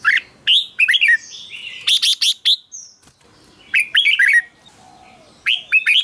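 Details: ['Red-whiskered bulbul singing in clusters of sharp, rising and falling whistled notes separated by short pauses, with a few higher squeaky notes mixed in. The song is used to excite caged birds or to lure wild ones.']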